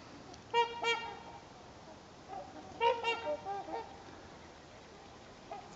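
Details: Trumpeter swans on a lake, part of a couple hundred resting there while migrating south on a calm day, give loud, nasal, horn-like honks in two short bursts of overlapping notes, with fainter calls from farther off between.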